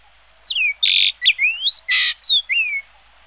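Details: Yellow-billed grosbeak delivering a rich run of clear whistles, some rising and some dropping, interleaved with two broad harsh buzzy notes, all packed into under three seconds against a quiet background.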